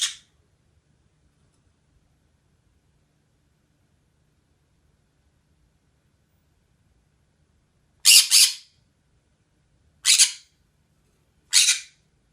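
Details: Pet green-cheeked conure sitting on top of its cage indoors, squawking: long silence, then four harsh, broadband, very high squawks, the first pair close together, then two more spaced roughly two seconds apart.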